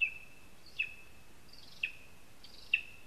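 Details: Lesser spotted eagle nesting in a spruce, Zemgale, Latvia: three spaced, sharp high notes about a second apart, each falling quickly, set against a steady high whine and soft hiss.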